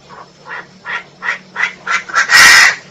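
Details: Female Chinese francolin producing an accelerating, rising series of harsh nasal notes that ends in a loud, drawn-out burst.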